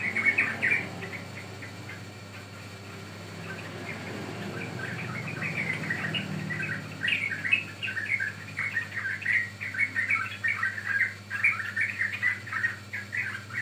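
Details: Sooty-headed bulbul lure track for catching or training birds: a few whistled notes, a quieter rumbling stretch, then a long rapid chatter of bubbly notes at about two per second.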